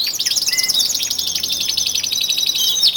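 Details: Male canaries kept indoors, a dozen birds building up their singing in early February before springtime, deliver a steady, fast rolling trill of high repeated notes, layered with a brief flat whistle and overlapping chirps throughout.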